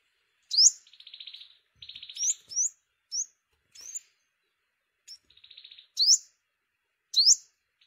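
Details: Lure recording of a yellow-bellied sunbird during bird season, with thin upslurred high chips alternating with short dry buzzy rattles, irregularly spaced over several seconds.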